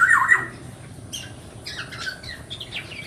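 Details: A black-naped oriole chick, its call used to lure the parent birds, gives one loud, harsh, nasal squawk followed by a run of fainter, higher, scratchy calls.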